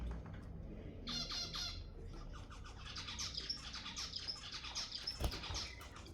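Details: Zebra finch song to stimulate mating: a short buzzy burst, then a longer run of rapid, chattering nasal notes with ringing high tones, above a low steady hum.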